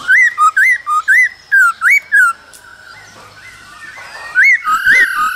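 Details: Laughingthrush male singing and dancing alongside female calls, cold season: a string of clear looping whistles roughly twice a second, a quieter pause, then more whistles over a sustained tone.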